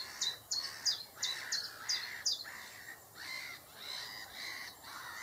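A common chiffchaff gives a quick run of high, sharp down-slurred notes, about three a second, then softer, breathier notes.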